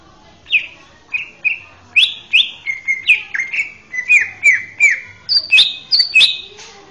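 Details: Male greater green leafbird singing a master song used to train young birds: a series of clear whistled notes, each sliding up or down, about two per second, rising toward higher, sharper phrases at the end.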